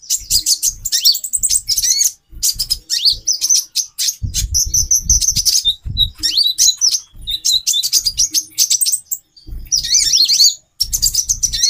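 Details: Female brown-throated sunbird calling to raise the male's mating drive: long, rapid sequences of high chirps with rising and falling slurred notes, accompanied by low thumping noises.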